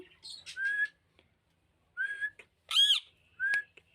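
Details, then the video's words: Pet rose-ringed parakeet, recorded January 11, 2024, gives clear whistled notes that slide up and level off, then one loud, harsh, rasping squawk and a final short whistle, with quiet gaps between. "My Green brids Parrot Talking"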